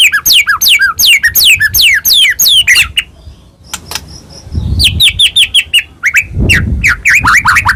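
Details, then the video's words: Medan-type white-rumped shama singing to spur other shamas: rapid descending whistled slurs, a pause with soft background noise, then a series of high falling notes and quick twisting phrases. "murai batu gacor AMPUH buat PANCINGAN murai batu agar bunyi JADIKAN burung murai gacor EMOSI"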